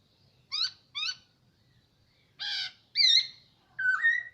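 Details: Hwamei kept in captivity for about a year, giving separated song phrases: two short harmonic notes, a pause, then a harsher rich note, a wavering whistle and a final slurred whistle, with quiet gaps between.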